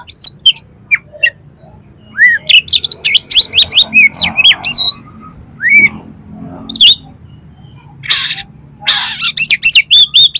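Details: Singing kacer, the Oriental magpie-robin, used to make another kacer respond and spread its tail: loud varied whistled phrases with upward and downward slurs, rapid note clusters, and two harsh scratchy bursts late in the phrase.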